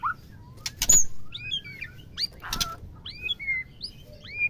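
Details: White-rumped shama female, her voice used to rouse males and make them willing to mate, gives scattered short rising and falling whistles between two loud rattling knocks.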